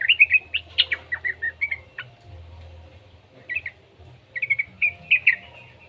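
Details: Young yellow-vented bulbul, used to coax other bulbuls into singing. It gives an opening burst of chattering, bubbly notes, then a pause, then another short run of lively rising chirps. A low hum sounds throughout.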